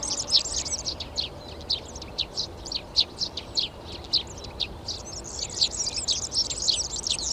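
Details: Eurasian tree sparrows beginning to nest in garden boxes in Přerov, Czech Republic, 19 March 2020. Clear, high chirps repeat at a fairly even pace over a continuous twittering chorus of other garden birds.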